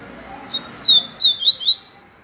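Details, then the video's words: Yellow-bellied seedeater giving its viviti song style, intended for training other birds: a faint introductory note, then four emphatic, high, downward-sliding whistles in quick succession, with little other sound behind it. "papacapim PEITO AMARELO canto viviti PURO"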